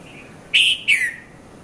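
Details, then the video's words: Red-vented bulbul calling in the early morning, 5:30 to 5:40 a.m., Mount Lavinia, Sri Lanka: one emphatic two-note call, a ringing first note and a second that slides down, after a faint steady background whistle. "Red-vented Bulbul Bird Voice | Sounds of Bulbul"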